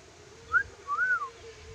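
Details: Lory from Sulawesi giving two clear whistled notes: a short bright note, then a longer smooth arched whistle that rises and falls. A faint low hum sits underneath.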